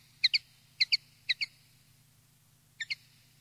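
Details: Common linnet field song for tutoring young linnets: crisp chirps delivered in pairs, three doublets in quick succession, a pause, then one more pair, with a low background hum.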